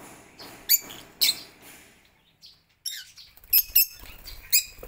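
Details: Lovebirds in a planted home aviary with a pond, lining up for corn at lunch; sharp high squeaks and a brief downward-sliding note, then a scatter of quick shrill chirps after a silent gap.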